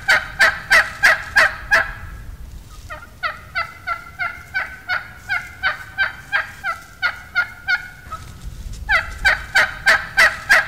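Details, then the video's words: Wild turkey hen giving a plain yelp, basic turkey communication used by hunters to attract gobblers; a looped series of raspy, evenly spaced yelps about three per second, a loud run, a softer middle series, then loud yelps again. "Wild Turkey Hen Plain Yelp Call"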